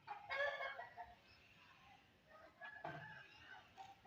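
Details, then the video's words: An Aseel rooster gives two brief, hoarse, rasping bursts about two seconds apart, each under a second long, against a quiet background. "Rooster Crawling Relaxing sounds | Aseel Murgha"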